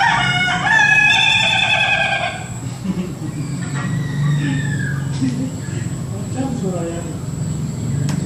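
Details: Laughing chicken rooster crowing in an afternoon garden kept for the breed: a loud harmonic crow broken into quick repeated pulses for about two seconds, followed by fainter distant crows and clucks over a low background hum.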